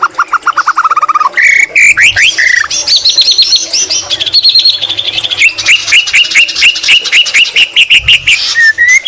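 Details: Nonstop white-rumped shama song with green leafbird imitations: a fast series of rising whistles, then high chips and rapid upslurred notes repeated in quick runs.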